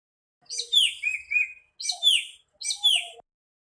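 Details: Singing nightingale giving three quick phrases of sharp, high downslurred whistles and buzzy notes, with a few faint lower chirps between them.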